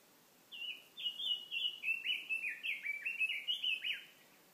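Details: Wild bird delivering a lively song phrase of repeated sweeping chirps that dip slightly lower in the middle, roughly a dozen notes in four seconds, with faint steady background noise.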